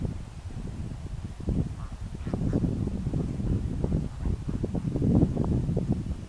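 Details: Greater flamingos heard as a flock: a steady low, goose-like honking chatter with dense overlapping grunts and short nasal notes, growing slightly louder toward the end.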